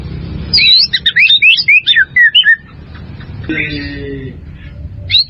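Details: White-rumped shama singing as a training model for caged birds: a fast series of high, looping whistled notes for about two seconds, then quieter, harsher sounds and low background noise.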